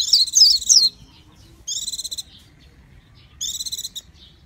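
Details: Japanese white-eye giving a short, sharp twittering phrase, followed by two separate buzzy, rattling trills of rapidly stacked high notes with quiet gaps between.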